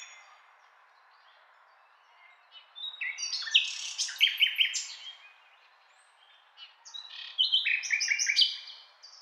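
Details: After two quiet seconds a nightingale bursts into varied song: sharp whistled notes and chattering phrases, a short lull, then another bout of rapid repeated notes and high whistles.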